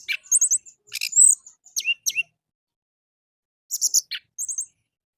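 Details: Orange-headed thrush song played in the morning as a lure to get captive birds singing: short bursts of high chirps and twittered phrases with quick downward sweeps, separated by silent gaps.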